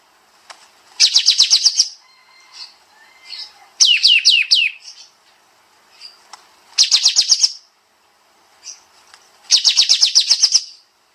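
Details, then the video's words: Sooty-headed bulbul delivering tight 'nembak nembak' song: four volleys of quick, piercing high chirps, some descending slurs among them, spaced about two to three seconds apart, with faint thin notes in the gaps. "Masteran Burung Kapas Tembak Suara Rapat Nembak Nembak"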